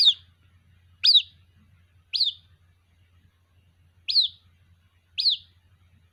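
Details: White-breasted waterhen chick calling its mother: sharp, high, downslurred peeps repeated roughly once a second, six notes with a short gap midway, over a faint low hum.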